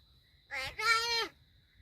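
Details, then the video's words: Talking crow at Gargaon, Palghar, imitating human speech: one drawn-out nasal, richly harmonic utterance of under a second, briefly broken, then held steady and dropping at the end, in a quiet setting. "गारगाव बोलका कावळा"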